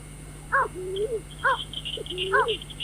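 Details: A short run of White-breasted waterhen calls meant for night bird trapping: three harsh, stacked notes, each trailed by a lower, rising drawn note. Faint high twittering and a steady hum lie behind them.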